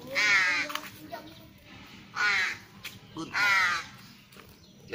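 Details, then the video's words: Tame young ravens in training to come when called give three hoarse, grating caws spaced about one and a half seconds apart, with faint human voice and background noise between them. "My cute baby ravens"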